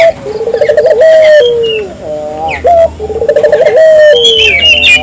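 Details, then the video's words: Barbary dove calling energetically, played to stimulate local doves: a low rolling trill ends in a sustained falling coo, repeated twice, with thin high chirps from other birds between the phrases. "suara burung puter gacor,merangsang burung puter lokal ikut gacor"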